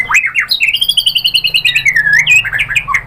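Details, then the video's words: White-rumped shama lure song used to stir other birds into singing; bright whistled notes repeated in a rapid even pulse about five per second, sliding slightly downward, then varied warbled phrases, in a small room. "MURAI BATU jadi EMOSI NYAUT BONGKAR ISIAN ¦ PANCINGAN MURAI ¦ SHAMA BIRD"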